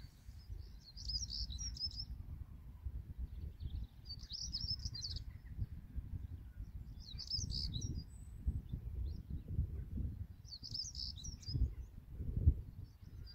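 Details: European stonechat at Greenham Common on 28 March 2022, giving short scratchy, high chattering phrases about every three seconds, each burst lasting around a second, over a steady low rumble of wind.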